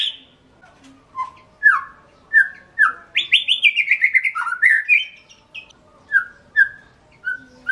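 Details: Song of the white-rumped shama: separate mellow whistles, a rapid rippling run sliding down in pitch, then more spaced whistles at a steady pace.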